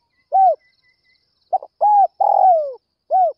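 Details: Spotted dove calling in the early morning to lure other doves. Mellow, low coos come as short notes and a longer drawn-out falling coo, with a quiet pause between phrases. The background is otherwise silent.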